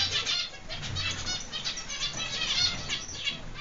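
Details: Captive zebra finches bred in an aviary in Constantine, Algeria, 2016: overlapping short, nasal, high beeping calls in rapid succession, with wing flutters and a low background hum.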